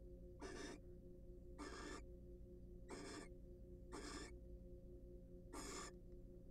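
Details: Pair of wild barn owls preening and courting inside a nest box; five harsh, breathy hisses spaced about a second apart, each a short noisy burst, with constant low hum beneath.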